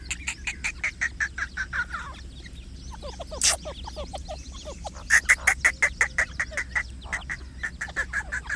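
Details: Grey francolin with chicks. A rapid run of short, sharp clucking notes comes about three times a second, then pauses amid faint, thin, down-slurred peeps before resuming in a steady series.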